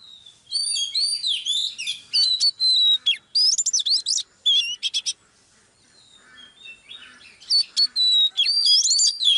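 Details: Live recording of a female Oriental magpie-robin drawing a male into excitement: long tumbling phrases of bright whistles, slurs and clicks, broken by a short silence before the song resumes.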